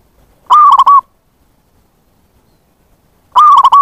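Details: Zebra dove lure call meant to attract wild zebra doves: a burst of fast staccato coos closing on a level drawn note, then near-silence until a second similar phrase begins about three seconds later.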